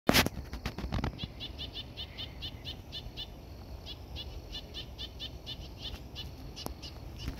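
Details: On 12 April 2024 at about 9 a.m., a noisy Black-crested Titmouse scolds from up in tree branches in rapid runs of short, harsh notes, several per second in two long bursts. Loud thumps and rustling open the recording.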